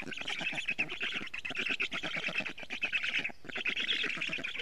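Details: Black storks at an Estonian nest, 12 June 2018, late afternoon, a parent delivering plenty of food; dense hoarse squawks in quick pulsing bursts, with a brief lull near the end before resuming.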